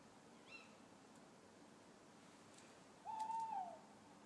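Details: Owl hooting in a garden: one steady, slightly falling hooted note of less than a second near the end, after a brief faint upward squeak, over a quiet background hiss.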